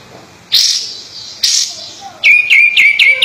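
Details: Sooty-headed bulbul, a caged bird in full song: two loud, breathy bursts, then a quick run of bright whistled notes, each dipping then holding steady, repeated about four times a second.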